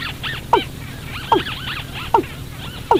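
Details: Watercock calls for luring birds into night traps: four strong descending notes about every 0.8 seconds among busy arched, honking-like background calls and a low hum.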